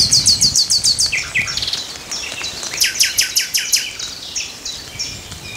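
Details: Common nightingale in song: a fast series of repeated sharp high notes, a pause with lower slurred phrases, then another rapid repeated burst, a short spaced trill and softer notes.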